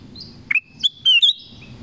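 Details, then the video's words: One brisk whistled phrase from a black-crested bulbul in the forest, short rising notes leading into a longer bright note, with faint high tones before and after. "BLACK CRESTED BULBUL SONG & CALL"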